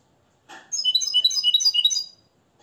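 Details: Captive European goldfinch, nest-bred in Morocco and tutored in the limpio style based on Tarkiba Dahabia 2020. After a short rustle, a quick, sparkling phrase of alternating high and lower twittering notes lasts about one and a half seconds.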